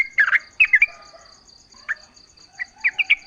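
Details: Yellow-vented bulbul, used as a lure so other bulbuls reply: sparse, short bubbly chirp groups separated by quiet gaps, over a steady high pulsing insect-like buzz.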